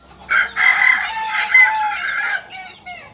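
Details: A purebred Kukuak balenggek rooster of Solok, West Sumatra, crows loudly and harmonically for about two seconds, ending in short, stepped trailing notes.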